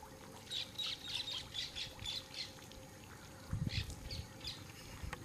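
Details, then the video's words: Ferruginous pygmy owl singing while hunting: a run of short, evenly spaced high notes repeated about every third of a second for two seconds, then a brief pause and a few more notes, with a low thump and background hiss. "o pequeno caburė caçando e cantando também"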